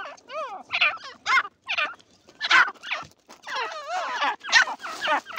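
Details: Irani francolin giving a busy run of overlapping calls: wavering, downward-sliding tones mixed with harsh notes, uneven and crowded over several seconds.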